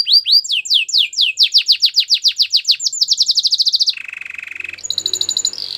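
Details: Belgian canary song of quick repeated falling notes speeding into a tight trill, then a lower buzzy rattle and brief high level whistles.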